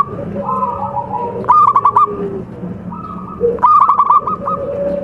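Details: Zebra dove, known locally as perkutut, singing in contest style: two short bursts of quick rolling coos a couple of seconds apart, with soft sustained cooing and murmur underneath.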